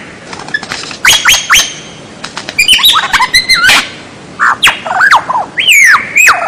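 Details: White-rumped shama singing a masteran piece meant for teaching captive birds. Loud mixed phrases of short chips, arched slurred whistles and looping notes, separated by brief pauses.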